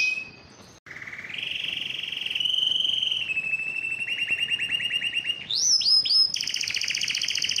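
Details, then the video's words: A yellow canary sings a long, low, smooth rolling trill that gradually lengthens into pulsed notes, then jumps to quick rising sweeps and a high continuous buzzy tour. "yellow canary singing"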